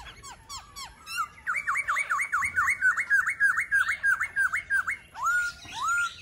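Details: Laughingthrush singing: a fast run of loud, repeated down-slurred whistled notes, about three per second, opening with sharp high chips and ending in two long clear whistles.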